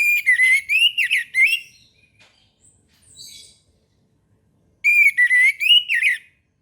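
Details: Orange-headed thrush singing in the morning, two rich whistled phrases of rapid wavering notes, each about one and a half seconds long, separated by a gap with a brief high faint warble.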